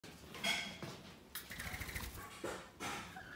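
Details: A pair of wild rainbow lorikeets visiting in the morning gives a few harsh, grating screeches in quick bursts, loud and rasping, in a small room.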